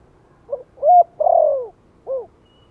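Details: Spotted dove giving a gentle 'Thổ'-style lure call meant to stir newly kept wild-caught birds to call: a short soft note, a louder hooked coo, a long drawn slurred coo falling at the end, then a final short coo.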